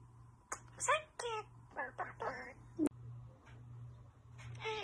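A common starling imitates human speech in short, slurred, voice-like phrases with squeaky overtones, over a steady low hum indoors.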